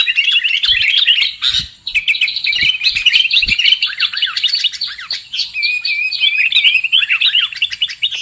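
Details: Sooty-headed bulbul lure call used for trapping birds: dense, busy chattering of quick bubbly chirps and short whistled notes, with one sustained warbling stretch near the end, delivered almost without pause.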